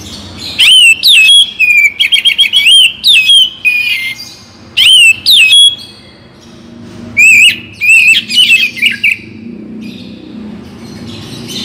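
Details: Oriental magpie-robin of the Kacer Bagong type, a morning and evening song used to spur other magpie-robins to sing: loud clear whistled phrases with rapid rising and falling notes, in bursts separated by short pauses.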